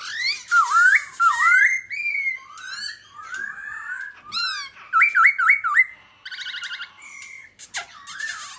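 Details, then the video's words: A black-throated laughingthrush sings while displaying (singing and dancing) on a new perch: a rich, varied run of loud, rising and falling whistles, quick buzzy trills and a fast burst of repeated notes. "Khướu bạc má hót múa"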